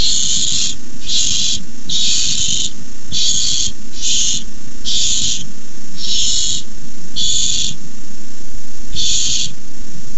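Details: A nest of barn owls begging as a rat is delivered: a run of harsh hissing screeches, roughly one per second, irregular in spacing, over a constant low hum.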